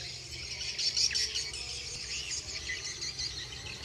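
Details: Swiftlets returning: a dense chorus of high, thin chirps and twitters from many birds overlaps continuously, with a faint low hum underneath.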